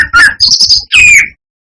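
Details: Brown-chested jungle flycatcher singing as a lure for rival birds: a clear whistle, then a thin high buzzy note, then a long slightly falling whistle.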